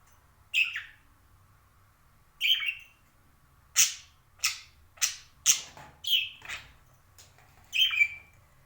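Parakeet giving sharp, high squawky chirps, about nine in bursts over several seconds, some harsh and descending, others rising; otherwise quiet.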